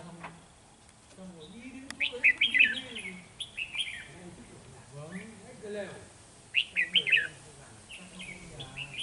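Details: Trapping decoy red-whiskered bulbul on 13 November 2018, singing to provoke rivals: two loud bursts of rapid, chattering high notes with short slurred whistles between, while a man speaks in low tones.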